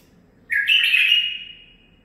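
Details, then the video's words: A 9-month-old male bulbul delivers one full warbling phrase lasting about a second, loud at the start and fading gradually, with no other sounds around it. "من بلابلي الخاصه (الكابتن ) مخلف تخريجي العمر 9 أشهر اخذ لسانات زلزال"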